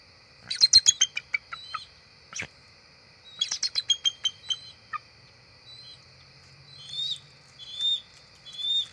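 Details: Bald eagles, two adults (a female and a young adult male) flying up to their nest tree just before dark on October 4, 2023, recorded by a field camera. Two bursts of rapid, high, piping chitters that fall in pitch, then scattered thinner notes over a steady high hum.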